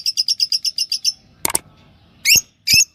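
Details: A pair of yellow Fischer's lovebirds, kept as pets: a fast run of about ten sharp high chirps over one second, then a short rasping burst and two harsh broadband squawks, with quiet low background hum.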